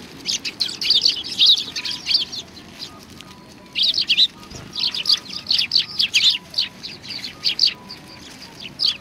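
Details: Sparrows come for food at a Tenmangu shrine on 25 November 2020. Lively high chirping runs for two seconds, pauses briefly, then resumes as a steady patter of short overlapping notes. Faint thin tones run underneath.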